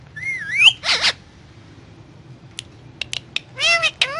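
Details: Indian ringneck parakeet while eating guava gives a clear whistled rising-falling note, a harsh burst, scattered clicks of feeding, then a cluster of harmonic squawks; low background hum throughout.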